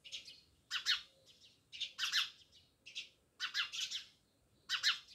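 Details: House sparrows near a village house in Jamnagar give loud, harsh double and triple chirps in irregular bursts, with short quiet gaps between them.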